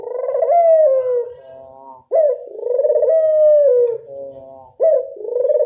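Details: Local Barbary dove, called puter, giving a classic-style coo: low, mellow rolling notes repeated in phrases about every two seconds, each with a short rising start and a long smooth falling tail.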